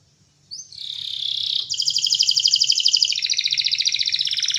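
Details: A singing canary starts with a buzzy rising note, then pours out a long, very fast high trill that drops slightly in pitch partway through, with a faint low hum beneath.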